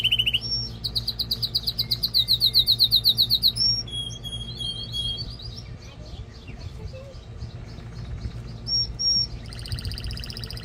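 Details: Belgian canary (Serinus canaria domestica) male song meant to stimulate mating and train young birds: rapid trills of bright high notes, a fast rolling tour of about four beats a second, then varied whistles and buzzy runs over a low hum.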